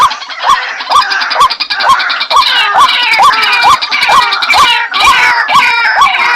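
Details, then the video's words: Bengali dahuk, the white-breasted waterhen, repeating a hooked, upslurred note at a quick, even pace, partly buried under a loud, grating wash of higher sound. "ডাহুক পাখির ডাক | Dahuk Pakhir Dak | Waterhen Bird Calling | Suara Ruak Ruak Bird"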